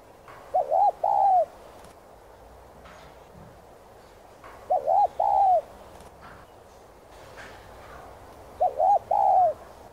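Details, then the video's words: Spotted dove in gù 2 style, hạp voice: three separate coo phrases about four seconds apart, each a quick double stutter rising into a longer arched coo, against a quiet hissy background. "Chim Cu Gáy Thúc, Gù 2 Kích Bổi Nhanh Nổi.Tiếng Cu Gáy Giọng Hạp BổI.Cu Đất Gáy, Cu cườm"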